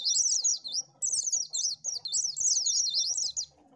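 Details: Oriental white-eye singing a lure song: dense, very high chattering warble of slurred up-and-down notes, nearly continuous, with tiny breaks between rapid phrases.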